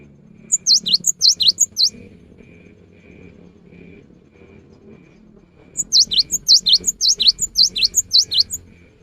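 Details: A rainy-season lure recording of a vigorous cinereous tit: two bursts of rapid, ringing, high whistled notes, several seconds apart, with a thin steady tone and soft low noise between.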